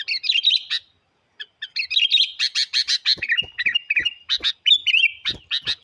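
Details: Sooty-headed bulbul singing vigorously to challenge wild birds, a loud stream of rich chattering notes and slurred whistles, nearly continuous after a short pause, with a few sharp clicks.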